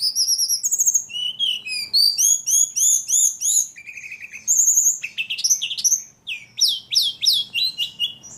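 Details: Persistent singing from a ledekan: a fast series of high arched chirps, some repeated in quick runs, broken by lower buzzy phrases and a brief quiet gap before more looping notes.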